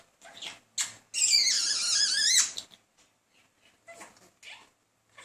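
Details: Male pet budgie wooing a female with persistent chatter; a sustained, rippling warble with wavering tones lasts over a second, framed by short scratchy chirps and quiet pauses.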